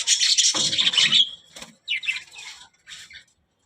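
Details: Budgerigar, a talking parrot, with a loud raspy burst of chatter followed by shorter scratchy notes fading out.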